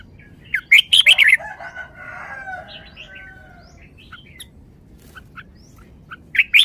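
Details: A red-whiskered bulbul from a cage-bird song show gives a quick run of bright whistled notes, then softer low warbling and scattered ticks, before a second sharp phrase closes the recording.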